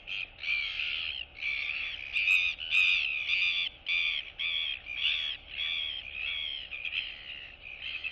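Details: Two royal albatross chicks chatting as they greet one another among colony neighbours, 9 September 2022: a rapid string of braying nasal yelps, roughly two per second, loud and uneven.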